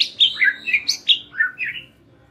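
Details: White-rumped shama singing, played as a training lure for young and wild-caught birds: a quick burst of about eight loud, clear whistled notes dropping and rising in pitch, fading out at the end.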